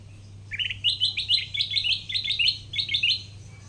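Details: Wild-caught Sooty-headed bulbul, now tamed and kept caged, singing actively: a rapid series of bright, sharp chirped notes, about eight short strokes rising slightly, over a steady low hum.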